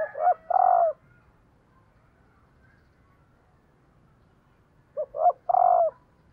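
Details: Female spotted dove calling to excite males: two low cooing phrases about five seconds apart, each two short hooted notes followed by a longer, fuller coo, in a quiet background.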